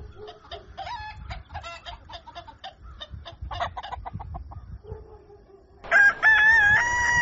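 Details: Rooster at dawn: a run of short clucking and chattering notes, then a loud sustained harmonic crow begins near the end over low background rumble.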